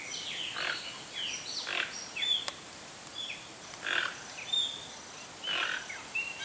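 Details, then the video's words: A Toco toucan, largest of Brazil's toucans, utters a run of rough, buzzy croaks at uneven intervals, some doubled, while other birds add thin high whistles and sliding notes throughout. "Canto do Tucanuçu (Ramphastos toco), Toco Tucano"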